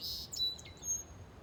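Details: Unidentified bird calling from a small tree in a park on a July afternoon; a short run of high, thin chirps and a clear whistled note, with faint background hum.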